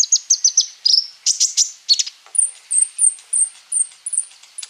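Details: Flowerpecker in energetic full song, used as a lure to get other birds singing: rapid sharp high chirps and short trills, then a steady series of thin, very high notes repeated about three times a second.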